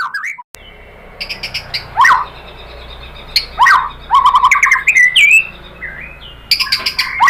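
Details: White-rumped shama song used as a lure for other shamas: scattered sharp upslurred notes and short buzzy trills separated by pauses, with some quieter bird notes in the background.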